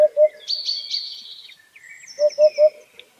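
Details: Wild white-breasted waterhen in nature, giving low, hollow, evenly spaced notes: a pair at the start and a run of three after a pause. Thin high whistles and chirps from other birds fill the gap.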